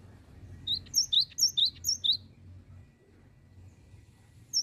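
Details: Gelatik batu, the cinereous tit, in continuous 'bocor' song: five or six crisp two-note whistle pairs in quick rhythm, then silence and the start of another phrase.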